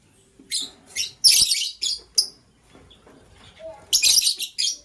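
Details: In the morning a green lovebird chirps while a blue lovebird scrambles for vegetables; a rapid string of loud, scratchy chirps is followed by a pause and then another noisy cluster.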